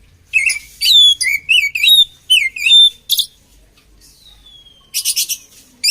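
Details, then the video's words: Oriental magpie-robin song used to train other magpie-robins: loud whistled phrases with curling upslurs and downslurs, bursts of harsh buzzy notes, a long thin descending whistle near the middle, and short pauses between phrases. "SUARA KACER KOMBINASI AMPUH UNTUK MELATIH MENTAL KACER"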